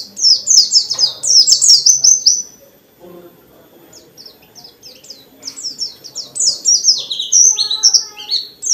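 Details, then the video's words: Dakun white-eye pouring out rapid high, slurred phrases, pausing briefly near three seconds and then resuming. The energetic forest-style song is aimed at provoking other white-eyes to respond. "Burung pleci dakun gacor banget,ngalas rapet nyambung isian banyak"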